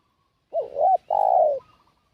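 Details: Spotted dove giving a decoy call meant to lure wild doves: two quick looping coo notes run into a longer, steady, slightly falling coo, one clean phrase against a silent background.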